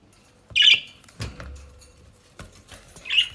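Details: Indoor budgerigars in South Holland, Netherlands, eating dry leaves and grass: two brief harsh, buzzy squawks at start and end, with leaf rustling, soft tapping and low thumps between them.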